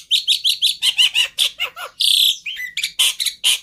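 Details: Black-winged starling master song used as a lure, packed with copyable phrases: a fast run of sharp chirps, a harsh buzzy burst, then a dropping whistle and loud scratchy notes.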